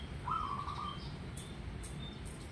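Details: Singing local zebra dove (perkutut) gives a brief rolling cooed trill lasting about seven-tenths of a second, level and mid-pitched. Sharp clicks and low background rumble follow.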